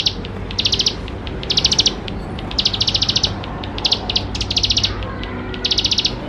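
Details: Bar-winged prinia, singing vigorously, used to encourage young prinias to start singing: around eight quick, shrill rattling trills, short and evenly buzzy, with scattered sharp ticks and a soft hiss underneath.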